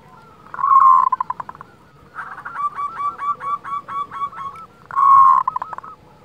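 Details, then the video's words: Local zebra dove's kerot call, meant to stir breeding desire and emotion: a loud rolling burst with stuttering pulses, a string of repeated bouncing hooked notes, then another rolling burst. "SUARA KEROT Perkutut lokal Masteran Ampuh Untuk Menaikan Birahi dan Emosi"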